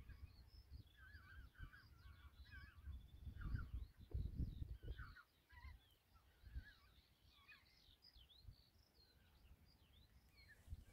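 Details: European golden plover calls recorded in Kogri village on Hiiumaa, Estonia: many short whistled notes from several birds, chattering and overlapping across the clip, with gusty wind rumbling underneath.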